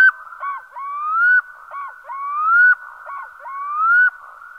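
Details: Black-throated Loon (Gavia arctica) giving loud, clear, whistled notes that rise and swoop upward, repeated roughly every 1.3 seconds in a rhythmic series, with a steady humming tone underneath.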